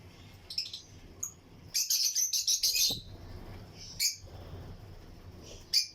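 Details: Lutino lovebirds in a breeding colony cage in an aviary give a run of shrill, high chirps in quick bursts, about seven in two seconds, with scattered single chirps before and after.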